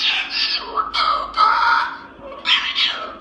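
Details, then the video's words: At night in a dark, quiet room, a Moluccan cockatoo the owner thought was asleep suddenly talks in harsh, raspy, speech-like bursts, several short phrases over about three seconds, sounding like a conversation with a devil. "Moluccan cockatoo talking like a devil at night"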